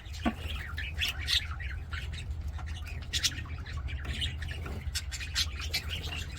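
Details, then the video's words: Budgies in an aviary singing and playing, with scattered harsh squawks and short chirps, quieter and more spaced out, against a strong low hum. "BUDGIES SINGING PLAYING"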